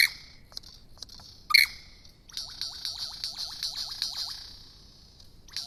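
Superb lyrebird song: sharp high chirps, then a quick run of about nine downward-sliding whistles over a steady high buzzy trill.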